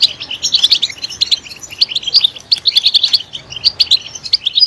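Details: European goldfinch chirping, used to stimulate goldfinches to sing; clusters of high, tinkling notes come in short bursts separated by brief gaps, quieter and looser than full song.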